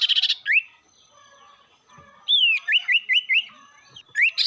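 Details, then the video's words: Rival-provoking lure song of a sirtu: a buzzy burst and rising whistle, a pause, then a falling whistle followed by four quick upslurred whistles and another buzzy phrase. "pancingan burung sirtu bikin emosi lawan"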